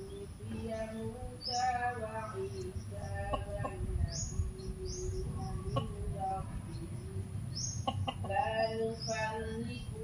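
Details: Rooster searching for hens in a garden gives short, harmonic clucking calls in bursts over a low rumble and a steady high whine.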